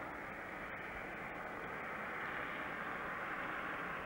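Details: Continuous roaring engine or aircraft noise fills the recording, with a couple of brief clicks and no animal calls.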